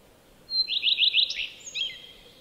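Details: Common redstart song: a thin high whistled opening note, then about five quick repeated lower notes, closing in a brief twittery flourish, over a faint steady background hum.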